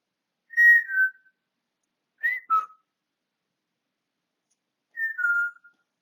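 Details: Pet African grey parrot whistling, 20 August 2022: three two-note phrases spaced a couple of seconds apart, each a clear higher tone stepping down to a lower one.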